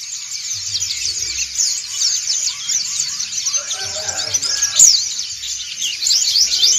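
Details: A flock of white-eyes, pleci dakun and montanus types, sings ngriwik together: a busy chorus of thin, high twittering notes and quick upward and downward flicks that overlap with no pause, plus a faint low hum beneath.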